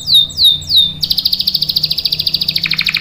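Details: Canary in full song with a long roll: three slow, sweeping down-slurred whistles, then a sudden fast, buzzy rolling trill that holds steady and drops slightly in pitch near the end.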